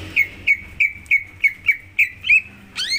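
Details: Greater green leafbird song played to encourage another bird to sing: eight crisp whistled notes at an even pitch in quick succession, ending with a harsh rising note.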